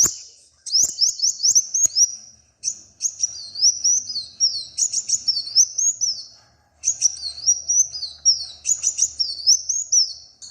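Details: Small brightly coloured bird singing: high, thin rising whistled notes in rapid repeated runs, phrases separated by short pauses, with occasional faint clicks in the background.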